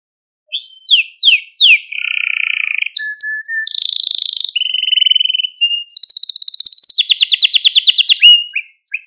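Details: Maltese canary male song used to excite other canaries: falling whistled notes, a low rolling trill, buzzy bursts and a long fast rattling trill at high pitch, varied phrases following one another.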